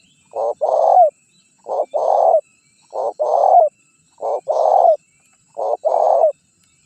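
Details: Lure recording of a spotted dove, meant to make wild doves answer and approach. Paired hollow coos, a brief lead note then a drawn-out purring note, come in five evenly spaced phrases with silence between.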